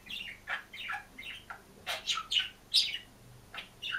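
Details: Green budgerigar alone in a cage, singing and chirping: a quick run of short, soft chirps and warbled notes at varied pitch, about two or three a second, irregular, with faint background hum.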